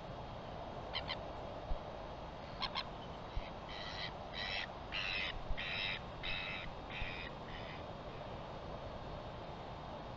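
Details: Northern royal albatross, 4 September 2021: two quick pairs of sharp clicks, then about seven harsh, rasping bursts at an even pace over four seconds, with steady wind rumble underneath.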